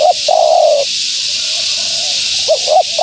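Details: Spotted dove, a female, whose call is meant to lure wild doves: a long, wavering, falling coo, a pause, then quick doubled notes starting the next phrase, over steady hiss.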